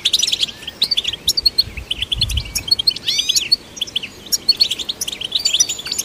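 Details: European goldfinch song to stimulate goldfinches: sharp chips and twitters interrupted by a cluster of fast rising whistled sweeps, then more lively liquid chatter; soft low rumbles in places.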